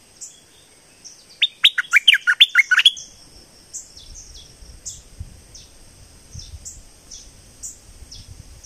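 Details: Southern Thailand streak-eared bulbul singing: a rapid, jumbled phrase of sharp, slurred notes lasting about a second and a half. Afterwards, faint high chirps from other birds repeat about once a second over a constant thin whine and low rumble.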